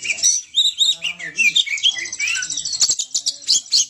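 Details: Oriental magpie-robin singing energetically: a rapid, varied run of high whistles, rising and falling slurs and chattering notes, with short crisp clicks toward the end.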